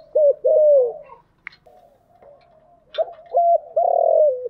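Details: Spotted dove decoy call used to lure wild doves, styles known locally as thúc gù and gáy gọi: low, hollow coos, a short pair then a long drawn-out note falling at the end, with a brief click between phrases.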